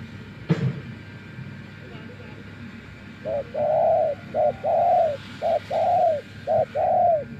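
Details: Spotted dove kept as a decoy after many days living wild, starting quiet, then breaking into low mellow coos, short notes alternating with longer ones, after a sharp knock at the start.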